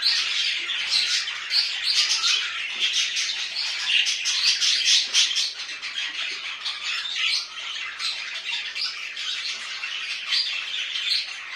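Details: Domestic budgerigars warble continuously at home, a busy mix of chirps, squawks and trilled buzzy phrases overlapping, louder in the first half and easing slightly later.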